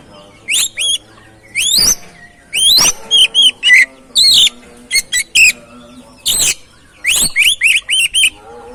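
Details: Oriental magpie-robin song for stimulating another bird to sing: a lively run of high whistled, sweeping and rasping notes in quick irregular bursts, with a faint low steady hum beneath.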